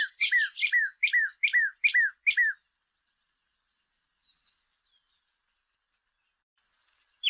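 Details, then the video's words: Saffron finch (canario criollo) giving a rapid, even series of about seven bright downslurred chirps in under three seconds, followed by a long quiet gap and one final note. "CANARIO CRIOLLO (SICALIS FLAVEOLA) VS (MIMUS POLYGLOTTOS) ¿CUAL ES MAS HERMOSO?"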